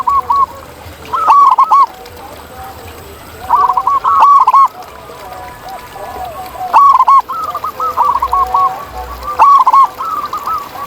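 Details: Outdoors, several local zebra doves (perkutut) sing in bursts of staccato, bubbling coos, repeated every few seconds. Louder and quieter birds overlap throughout.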